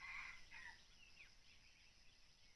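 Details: Wild red junglefowl crowing in forest during decoy-bird hunting; a faint, hoarse crow with a strained, harmonic-rich quality fills the first second, then quiet rustling background.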